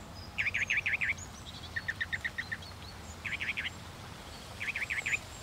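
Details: Northern mockingbird singing high phrases, each a rapid series of four to six looping notes; a run of lower, shorter chirps follows, then the looping phrase returns twice more, with a faint low rumble underneath.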